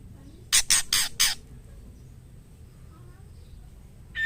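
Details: Female white-rumped shama in heat calling the male: four scratchy, rasping bursts delivered rapidly, followed by a quiet stretch and the start of a whistled note at the end.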